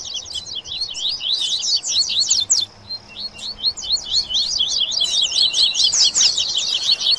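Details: Rusty-collared seedeaters and papa-capim sing together in a rapid, high twittering chorus: dense runs of sharp, sweeping chirps pouring out almost without pause, with more than one bird singing at once.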